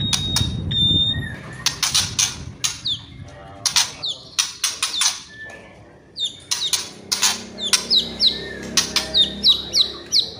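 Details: White-rumped shama kretekan and whistling: sharp, crackling bursts, then a string of high, quick, down-slurred whistled notes repeated about twice a second toward the end.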